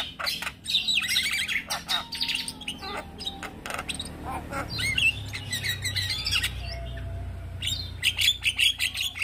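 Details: A young Javan myna chatters busily in its all-day song: dense bursts of scratchy, squawking notes and quick chirps tumble over one another, with a faint low hum beneath.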